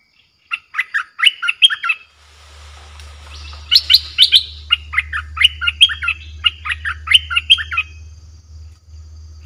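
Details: Streak-eared bulbul lure recording meant to provoke aggressive wild birds: quick rippling phrases of sharp, warbled chirps repeated steadily over several seconds, with a low steady hum and a brief hiss partway through.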